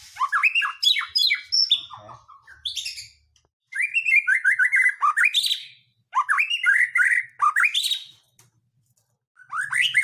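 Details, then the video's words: White-rumped shama song played as a provocation to draw singing from other birds: loud bursts of fast, varied whistles and chattering phrases, each lasting about two seconds and separated by short silences. "Pancingan murai batu mendongkrak keluar isian"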